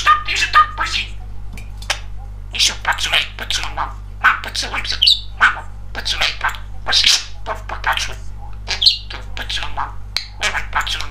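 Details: Pet male budgerigar, very chatty, talking indoors: rapid, high, scratchy word-like chatter mixed with chirps and squeaks in continuous bursts, over a steady low electrical hum.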